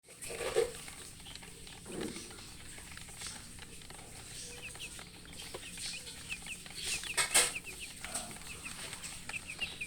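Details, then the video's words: Coloured baby chickens, chicks said to be thirsty for drinking water, give short high downward chirps in loose runs, mostly in the second half, over sharp knocking clicks and a low hum. "Murgi chicks Chirping sounds with thirst for drink water"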